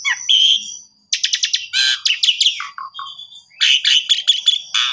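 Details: Master song for canaries from an Asian pied starling: a thin whistle, a short silence, then quick stuttered chirp series, a sustained high whistle, falling notes and fresh bursts of rapid chattering.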